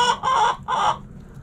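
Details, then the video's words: Backyard hen giving three loud, harsh, broad squawks in quick succession within one second, then quiet. "Hens Clucking Roosters Crowing!"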